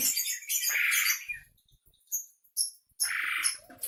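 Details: Asian pied starling of the Javan type, described as very fussy and talkative, uttering harsh grating squawks and short high scratchy notes in two bursts separated by a quiet pause with brief clicks.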